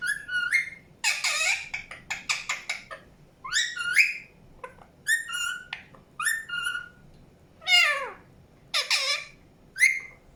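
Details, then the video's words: Indian ringneck parakeet chirping: a string of harsh, raspy squawks and sharp upslurred whistles in short bursts with brief pauses, some rolling, wavering screeches, in a quiet indoor-sounding setting. "PARROT CHIRPING SOUNDS | NATURAL SOUNDS PARROT CHIRPING"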